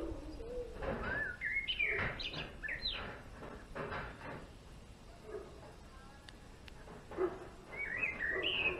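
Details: Twittering song of a male European greenfinch in a bird garden: quick chirps and upward-sweeping notes in irregular bursts, with lower calls and background noise between phrases and a final rising phrase at the end.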